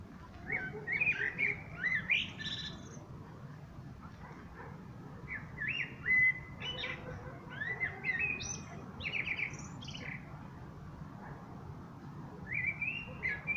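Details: Common blackbird song in separate short phrases. Each phrase is a rich fluted warble followed by higher scratchy notes, with pauses of a few seconds between phrases and a faint low background rumble.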